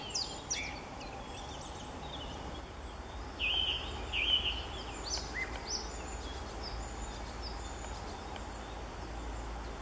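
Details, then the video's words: A song thrush sings high in treetops in Bavaria, Germany, in March 2014, giving clear, whistled, rising and falling phrases with thin high notes over a steady background wash; a chiffchaff overlaps at times. "Singdrossel mit Gesang - Song thrush singing"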